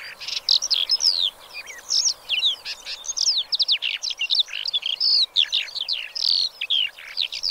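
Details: Black lark (Melanocorypha yeltoniensis) pouring out an unbroken, high, rapid song of varied chirps, trills and slurred whistles with barely a pause.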